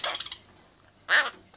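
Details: A pet Red-shouldered (Hahn's) macaw that talks, saying "bugger off", and sneezes gives a few quick, rough chattering notes, then one loud, harsh, grating squawk-like utterance lasting about a quarter second.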